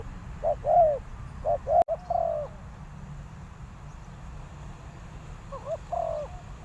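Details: Decoy spotted dove calling to lure wild doves to a trap: soft, hollow two-part coos in short phrases, three bursts within about seven seconds, over a steady low rumble of background noise.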